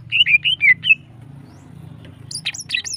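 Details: Female greater green leafbird, sung in a fast long-phrase style to excite other birds into breeding mood, gives four sweet downward-curving whistles in quick succession, a pause, then a cluster of higher sharp notes.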